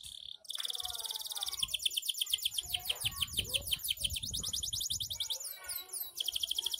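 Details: Canary, F1 bird, in long continuous ngedur singing: rapid high trills, repeated buzzy notes and fast descending sweeps run on without pause; a faint low voice or background noise underneath.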